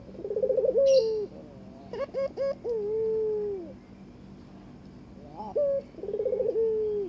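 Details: Courting Barbary dove with its mate: a trilled, rolling coo ending in a downward glide, then a rapid cluster of short notes and a long sliding tone, before another purring coo begins.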